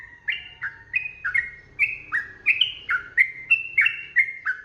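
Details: Sooty-headed bulbul in lively 'ropel' song, recorded for teaching other birds to sing: a steady stream of bright, clipped whistles that jump between higher and lower notes, around three per second, over quiet low background noise.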